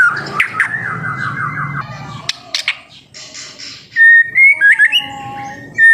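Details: Young spotted-plumaged white-rumped shama singing as a lure to prompt other birds to sing: loud clear whistles near mid pitch, a run of rapid repeated slurred notes, then sharp chirps and a rising whistled phrase after a quieter gap.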